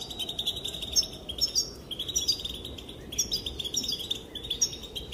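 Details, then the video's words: Calls of a female European goldfinch, described as making the males dance: busy high twitters and short tinkling notes delivered in quick runs separated by brief pauses, steady hiss beneath. "Sounds and calls of the female goldfinch make the males dance"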